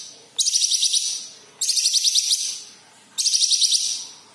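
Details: Yellow-headed green leafbird, used to get other kept birds singing: three matching buzzy phrases, each a rapid rattle of about eight beats, repeated roughly every one and a half seconds.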